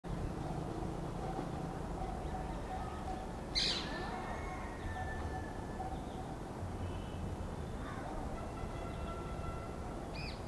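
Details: Rose-ringed parakeet giving two harsh, sharply falling screeches about six seconds apart, the first much louder, over a steady rumbling background with faint thin whistles from other birds.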